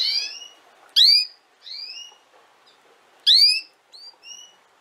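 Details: Canary, from a training recording for young canaries: loud rising chirps repeated roughly every two seconds, alternating with softer upslurred whistles and a few short high pips.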